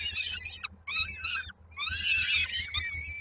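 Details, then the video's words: Begging peregrine falcon chicks, Koszalin, Poland, 19 May 2022, waiting for mother with supper; rasping harsh squeals in two short bursts, then a longer, louder overlapping scream, over a steady low hum. "w oczekiwaniu na mamę z kolacją"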